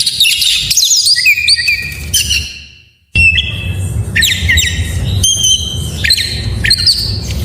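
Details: White-rumped shama, kept as a cage bird, in a full varied song used to prompt lazy shamas to sing: clear whistled notes, sliding and steady tones, buzzy trills, with a brief pause midway before the phrases resume; low background rumble.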